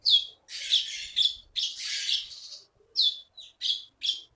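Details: Keety (konin) contest bird from Bangka forest, Indonesia, kept caged, delivers harsh, buzzy high bursts alternating with short sharp downslurred whistles, separated by brief silences.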